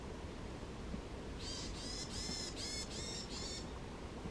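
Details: Varied tit at Hirayama Castle Park giving a run of about six nasal, buzzy notes over two seconds, evenly spaced and high-pitched, against a steady background hiss.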